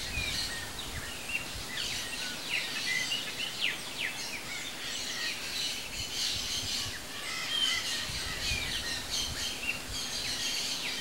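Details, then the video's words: Chopi blackbirds (graúna, Gnorimopsar chopi) at a feeder give a busy mix of clear whistles, sharp chips and quick sliding notes, several voices overlapping without pause over a steady outdoor hiss. "CANTO DO PÁSSARO-PRETO (GNORIMOPSAR CHOPI), CHOPI BLACKBIRD, GRAÚNA"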